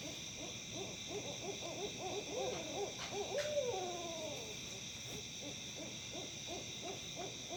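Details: Odd, monkey-like hooting from owls in Tennessee: a regular train of short hoots about three a second, interrupted midway by a loud descending cackling wail, with steady high-pitched droning throughout.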